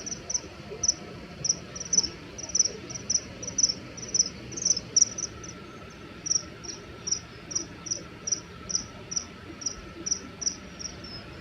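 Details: Threat calling from male common kingfishers fighting over a territory in flight: a long, fairly regular series of about twenty-five short, piercing high whistles, roughly two per second, above soft constant background noise.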